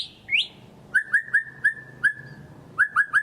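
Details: Song of a white-rumped shama: a high opening whistle, then clear upward-sliding whistled notes repeated in short bursts with brief gaps, over faint low background hum.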